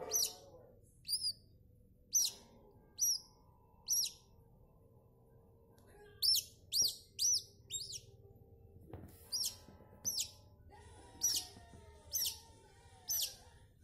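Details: A newborn buff-banded rail (Gallirallus philippensis) chick gives thin, high peeping notes, singly or in quick pairs, about one per second, over a low background hum.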